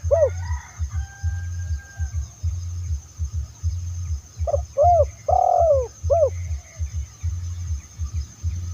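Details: Spotted dove calling to attract others, one phrase of short arched coos framing a long falling coo, with faint other bird notes early and steady low thumping throughout.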